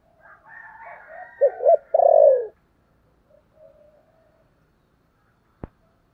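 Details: A spotted dove gives a luring, calling coo: a short run of low, hollow coos that swell into a louder final note.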